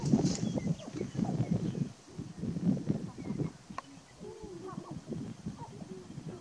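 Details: Several male sharp-tailed grouse on a Nebraska lek at Burwell, March 29, 2018, producing dense low clucking and cooing bursts that thin out later, followed by a few higher chattering notes.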